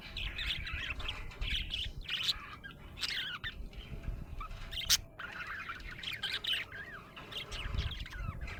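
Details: Happy budgerigar chirping: bright, scratchy warbled chirps and short rising squeaks in lively irregular bursts, with a sharp click near the middle and faint low background hum.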